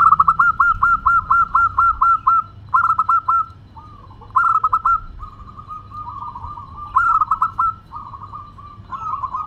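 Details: Song of a local perkutut, or zebra dove, in the clear 'crystal voice' style. It opens with a fast run of about ten loud, evenly spaced clipped coos, then trails into quieter rolling coos broken by renewed short staccato bursts.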